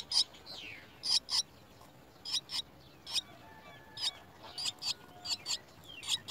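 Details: Worm-fed Chestnut-tailed starling chicks at their nest: sharp paired rasping chirps spaced about a second apart, some in quick threes, with a thin falling whistle near the start.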